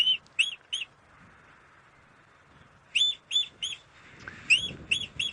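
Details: Shikra call played back by a guide on a windy sunrise safari drive, Djuma Game Reserve, 17 October 2016, near an old nest: sharp, high, metallic 'kik' notes in quick bursts of three with pauses, over wind rumble.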